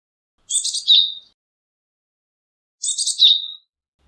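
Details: Japanese tit giving two short bright phrases about two seconds apart. Each is a quick cluster of high, scratchy notes that ends in a clearer whistled tone, with silence around them.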